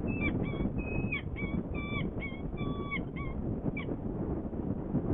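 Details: Saker falcons at a nest in Hungary on 18 April 2020, a female arriving with prey and feeding while the male is away: a series of repeated harsh nasal calls over loud steady wind or rumble.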